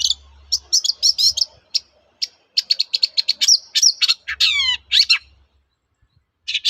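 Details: Long-tailed shrike delivering a varied, mimicry-rich song as a lure for other shrikes to answer: dense run of high chips and warbles, then a cascade of descending whistled slurs, followed by a pause and a final note.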